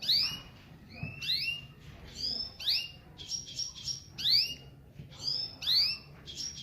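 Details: Gulsir canary cross from Parachinar, 2022, singing: a run of sharp rising chirps repeated roughly every half second or so, mixed with short high buzzy trill fragments, over a faint low background hum.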